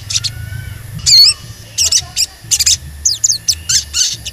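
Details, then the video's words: An excited Sogon singing a string of sharp, high squeaky 'cuit cuit' chirps and quick warbled notes, several bursts per second, with a faint low hum underneath; used to provoke other sogons to sing. "Pancingan Sogon Agar Bunyi dan Emosi"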